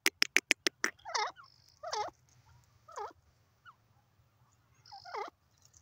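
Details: Grey francolin (gora teetar) calling: four harsh, wavering, nasal notes spaced about a second apart, each with a bending downward-then-upward inflection. A quick burst of sharp clicks comes first, and a faint low hum runs underneath.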